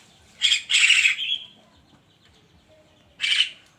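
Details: In the morning a Javan myna gives a loud grating double burst trailing into a buzzy tail, then after a pause another short harsh squawk.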